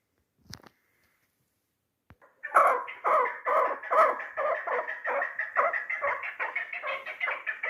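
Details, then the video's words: Three-year-old hunting chukar partridge from Tajikistan giving a loud, rhythmic run of harsh clucking chuk notes, about two per second, after two faint knocks and a short quiet spell. "Кабки дулан"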